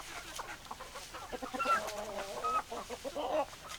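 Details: Hens clucking in a chorus of short, low, repeated notes, with a few brief higher squawks standing out near the middle and end; several birds seem to be calling at once.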